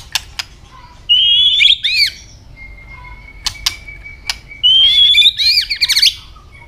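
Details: Two bursts of white-rumped shama fighting song, each a bright whistle running into rapid warbled loops. Dry clicks sound between the bursts, with a faint steady whistle in the gap.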